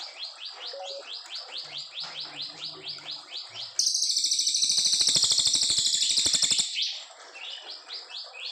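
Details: Brown fulvetta long song used as a master recording for training white-rumped shamas: high descending whistled notes repeated about three per second, then a loud harsh rapid trill for three seconds, after which the softer notes resume.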